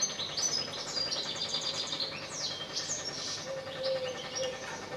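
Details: European goldfinch singing while perched on power lines: quick, bright twittering phrases with short tinkling and slurred notes in clustered bursts, over a steady mechanical hum with a droning low band throughout.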